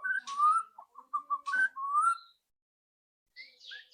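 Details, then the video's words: Loud rattling song of a White-rumped shama, played to make a bird sing quickly: clear rising whistles and stuttered mid-pitched notes with a raspy burst, a gap, then harsh chattering. "PANCINGAN MURAI BATU AGAR CEPAT BUNYI ketrekan keras murai batu"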